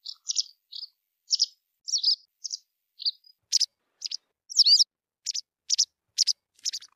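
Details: White wagtail singing a series of bright, high chirps and sharp ticks at a steady pace, about two notes per second, with a slurred twitter near the end; no other noise.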